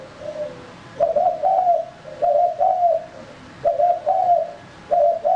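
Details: Lure-bird male spotted dove repeating hoarse two-part coos, each phrase a short note followed by a longer wavering one, spaced about a second apart.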